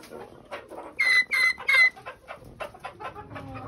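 A pheasant–chicken hybrid rooster crows in three loud, harsh, slightly falling syllables, each about a third of a second long. Softer scratchy clucks and rustling follow.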